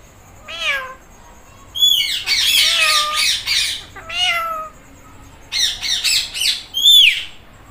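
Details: Green Indian ringneck parrot, talking and imitating a cat: several falling, nasal meow-like calls mixed with raspy squawking bursts over several seconds.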